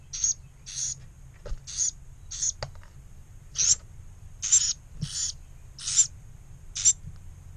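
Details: Two surviving Carolina wren chicks (of four) from a disturbed nest in a pump-house, on 1 May 2018, a few minutes after mealworms were placed, give harsh, hissing begging bursts, high and raspy, about nine in a row, roughly one per second, over a faint low rumble.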